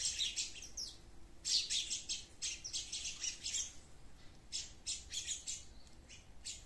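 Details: Sparrows in a garden chirping in rapid clusters of sharp notes, separated by brief pauses, with an irregular, busy rhythm.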